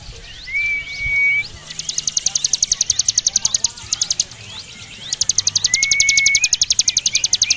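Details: Ciblek gunung, or Javan prinia, in vigorous ngebren song suited to tutoring champion birds: level whistles followed by long, fast trains of sharp high ticks, given twice with a short pause between.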